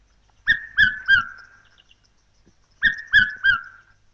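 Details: A Red-capped Robin-Chat (Natal robin), a fine songster and mimic that lives in thick bush and forest in the African bushveld, gives two bursts of three clear, slurred whistles, each note sliding slightly downward, in a quiet setting.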